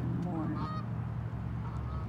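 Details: Gulls at a shop car park give a brief run of wavering, nasal squawks early on and a thinner cry later, partly buried under a constant deep mechanical drone.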